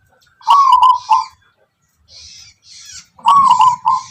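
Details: Zebra dove of the Tuban tangguh kind, a local wild bird famed for its characteristic lilting song, delivering two warbled cooing phrases split by a quiet gap with faint high rasping sounds.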